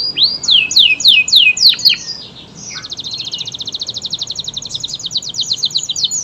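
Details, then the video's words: Local or AF/AFS canary singing with gusto: several loud downslurred whistles, a brief pause, then a long, rapid, evenly pulsed high trill. "SUARA VARIASI BURUNG KENARI GACOR JENIS LOKAL, AF, AFS"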